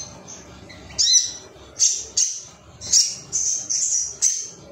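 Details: Sharp, high, well-spaced chip notes, about one per second, from an excited male Ruby-cheeked sunbird seeking rivals, over quiet low noise.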